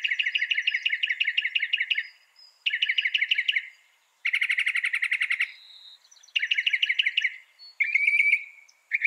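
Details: Northern mockingbird, said to copy up to 200 sounds, delivering rapidly repeated phrases of quick chattering notes, each run lasting one to two seconds, the phrase type changing after each pause.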